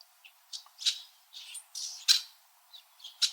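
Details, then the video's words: Wintering red-winged blackbirds chirping at one another from high backyard branches, Southern Ontario, Canada; a quick irregular run of loud, piercing check notes mixed with softer hissy chatter, about one call per second. "Red-winged Blackbird Winter Calling and Chirping Sounds"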